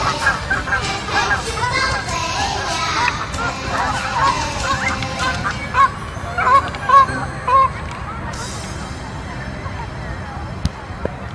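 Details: Canada geese in flight heading southwest, many honking together in a dense chorus, then sparser single honks spaced about half a second apart, with a brief hiss of noise near the end.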